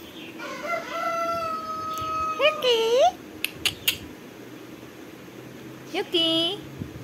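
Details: Indian ringneck parakeet talking in Tamil, a morning greeting: drawn-out, nasal, harmonic-rich voiced phrases, a sliding upturned syllable, then a short pause and another curved, squawky word, in a quiet indoor room.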